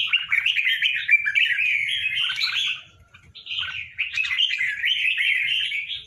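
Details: A tame pair of red-whiskered bulbuls in captivity sings long, continuous runs of chattering, gurgling warbled notes. Two extended phrases are separated by a short lull. A faint low rumble carries through.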